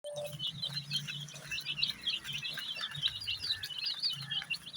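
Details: Many baby chicks dyed red, yellow, green, pink, purple, orange and white chirp together in a dense stream of high, short peeping notes, with a steady low hum underneath.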